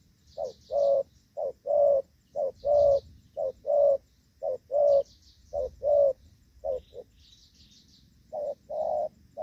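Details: Spotted dove used as a decoy while trapping in the rainy season in Vietnam, cooing in the gù vấp style: low hollow paired notes, a short coo then a longer one, repeated about once a second, faint high chirps of small birds behind.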